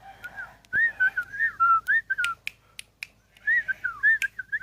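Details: Sooty-headed bulbul, a ten-year-old kept bird, giving rapid, wavering whistled phrases that rise and fall, a short pause, then more looping whistles; faint clicks in the background.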